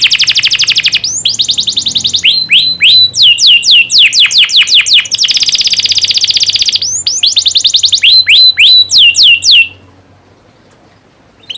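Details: Canary singing as a tutoring recording meant to get young canaries singing freely: loud, rapid high trills and rolls, then series of steep downslurred whistles, ending abruptly in near silence, with a faint low hum beneath.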